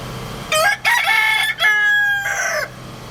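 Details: Big rooster with its family gives one full crow: a brief rising first note, a long harsh harmonic middle section, then a falling tail, about two seconds in all, over a faint low hum.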